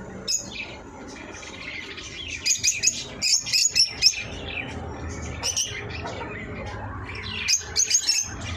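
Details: Eye-ring lovebirds making sharp, high-pitched squeaky chirps in irregular quick bursts, densest in the middle and near the end, with a faint low hum underneath.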